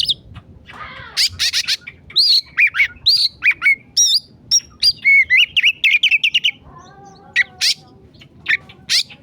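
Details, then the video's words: Agitated emosi song of an oriental magpie-robin on a masteran recording, a dense, varied outpouring: a buzzy rasp, then quick whistled slurs, sharp clicks and rapid chirps packed over six seconds before sparser notes. "masteran kacer emosi"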